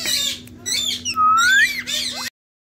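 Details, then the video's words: Captive Indian ringneck parakeet, a talking pet parrot speaking in a sweet voice; a short run of raspy, speech-like syllables, then a clear whistled rising slur and a brief squawky note, over a faint steady hum. "Indian Talking Parrot 🦜So Sweet Voice Ma Bolta Howa"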